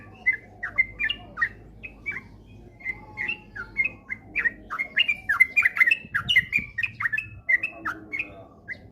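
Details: Sooty-headed bulbul 'ropel' song played as a lure for diligent singing: bubbly whistled notes about two per second, growing denser and louder midway, with faint low noise beneath.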